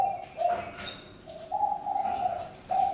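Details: Spotted dove uttering separate low, soft coo notes with quiet pauses between them, the middle coo longer and drawn out. Faint high twitter in the background.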